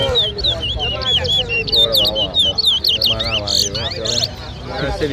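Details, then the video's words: A towa towa, or chestnut-bellied seed finch, sings at a whistling competition at Lusignan, Guyana, in 2023, giving quick bright whistled notes that swoop up and down in a steady run, with faint voices and short rustling bursts behind. "TOWA TOWA BIRD WHISTLING COMPETITION AT LUSIGNAN"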